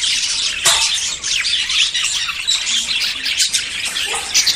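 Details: Budgerigars courting and about to breed: bright twittering chirps and chattering warbles pour out nonstop, a sharp louder squawk near the start standing out from the flock.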